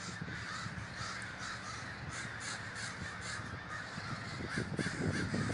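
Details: Large communal gathering of crows in Davis, California: many birds cawing at once, a steady rasping chorus of overlapping calls, with low background rumble growing louder near the end.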